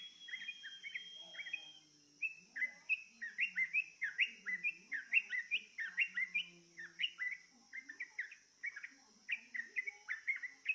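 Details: A yellow-vented bulbul, called trucukan, is coaxed with a lure recording to join in singing. It gives a long string of bubbly, rising-and-falling chirped phrases, loud and tightly repeated, over a steady high electrical hum.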